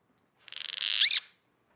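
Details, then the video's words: A Cliff Swallow that has found flying insects on a cool, cloudy, misty day gives its food call, recruiting the colony: a single buzzy, high call under a second, a quick rattle ending in a rising-then-falling squeak. "and if one of those Cliff swallows gets lucky and finds flying insects it makes this sound"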